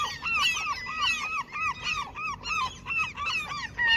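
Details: While being fed where they usually attack anglers, seagulls utter a rhythmic series of arched, mewing notes, around three each second, with a second bird layered above.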